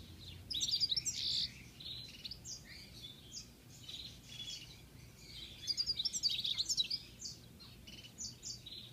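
European goldfinch singing a bright, tinkling jumble of quick twitters and liquid trills in two bursts, with a low background hum.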